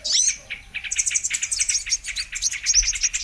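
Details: Brown-throated sunbird (kolibri kelapa or kolibri manggar) in a bird-trapping lure recording: one high squeal, a brief pause, then rapid thin twittering chips pouring out to the end.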